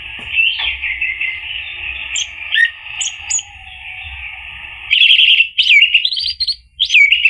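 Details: Orange-headed thrush song for prompting a male: a steady soft warbling stream with scattered sharp notes, then loud squeaky, rapidly sliding whistled phrases.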